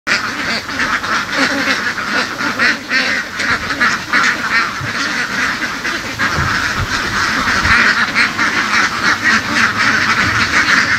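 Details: Flock of laying ducks herded through the fields in western Vietnam, raised by local farmers; a dense, continuous chorus of overlapping raspy quacks from many birds, harsh and unbroken, with occasional louder bursts.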